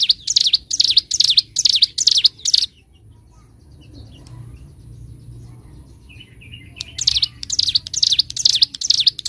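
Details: A bar-winged prinia gives bursts of high, shrill V-shaped notes for a bird-training master recording. About two and a half seconds of fast song break off into a pause with only distant soft chirps, then the rapid song resumes.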